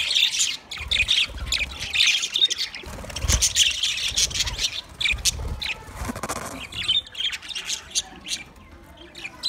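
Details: Chattering chorus from twenty budgerigar pairs, busy high chirps and squeaky warbles that fade somewhat toward the end, with low knocking sounds.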